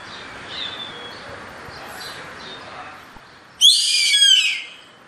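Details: Yellow-headed caracara calling: after a few faint distant whistles, one loud hoarse drawn-out scream bursts in near the end, grating and slightly descending, lasting about a second before trailing off.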